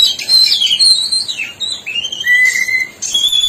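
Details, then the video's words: Black-breasted oriental magpie-robin from East Java in full, vigorous song: rich whistled phrases sliding between high and mid pitch, some notes rising and falling, a long steady whistle near the end, with scratchy high overtones. "BURUNG KACER DADA HITAM|KACER JAWA TIMUR GACOR"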